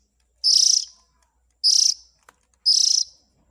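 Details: Young Oriental magpie-robin begging sound used to attract parent birds: three raspy, high, hissing bursts spaced roughly a second apart, the pauses otherwise quiet.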